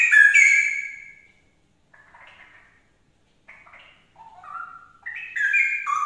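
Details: Straw-headed bulbul song played to trigger another bird to sing: loud rich warbled phrases at start and end, with quieter gurgling notes between short pauses.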